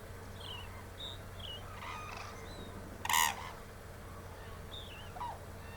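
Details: Hooded crane calling loudly at a crane observation center in Izumi, Japan, in December 2024. It belongs to a family of three with a young bird nearby. One loud, harsh, ringing call comes at about three seconds, with faint high chirps from other birds and a steady low hum.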